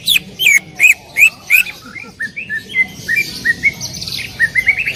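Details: Greater green leafbird singing loudly in full 'tembakan' bursts: a run of strong, clear whistled notes repeated roughly every third of a second, then a quicker series of softer, lighter chirps.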